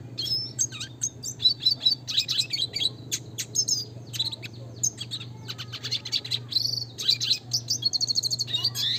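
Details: Classic red siskin singing continuously, a training recording for cage birds: long, fast, high twittering song of chips, buzzy trills and short whistles with rolling phrases, over a steady low electrical hum.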